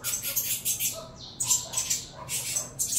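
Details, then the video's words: Captive saffron finch chicks at feeding time produce sparser, scratchy high begging bursts separated by short gaps, with a soft shuffling sound in between. "Alimentando canário da terra"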